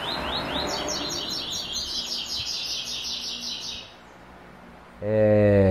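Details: White-throated seedeater sings the classic tuí tuí zel zel song with third note: strong, rapid buzzy repeated notes for about four seconds, then silence and an abrupt loud harmonic tone.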